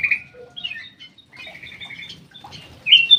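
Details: Black-crested bulbul, known locally as cucak emas or kutilang emas, kept in an aviary: short whistled, slurred phrases with pauses between them, ending in a louder bright rising note. Soft background rustling.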